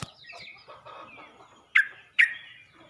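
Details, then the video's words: Yellow-vented bulbul calling other bulbuls, giving two loud, short chirps close together near the end after a stretch of faint, mixed background noise. "Burung trucuk ini pandai memangil burung trucuk lain"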